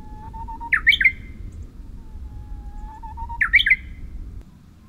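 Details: Bush warbler singing on Oeyeondo island, Boryeong, South Chungcheong, Korea, on 3 May 2023: a long, steady, low whistle followed by a quick, explosive, swooping flourish, given twice about three seconds apart, over a soft low rumble of background noise.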